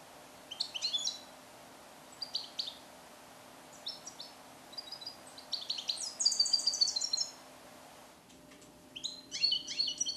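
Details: Captive-born male European goldfinch from 2021, song-trained with Neapolitan passages; repeated short bursts of high twittering over a steady low hum, building to a longer, louder rippling phrase.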